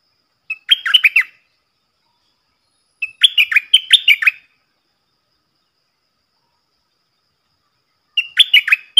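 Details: Stripe-throated bulbul serving as a decoy, singing the double-style song for training young birds and luring wild ones. Three separate bursts of rapid, chirpy, rising-and-falling notes spaced about three to four seconds apart, with silence between.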